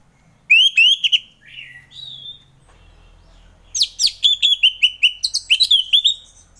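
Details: Orange-headed thrush in relaxed ngeplong song, played in the morning to prompt reluctant thrushes to sing: clear rising whistled notes and a falling slur, a pause, then a rapid run of a dozen bright, repeated whistled phrases.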